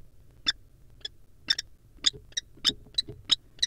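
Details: Courting wild common kestrels in a barn owl nest box give short, sharp, high chipping notes, roughly three per second and irregularly spaced, over a quiet low background hum.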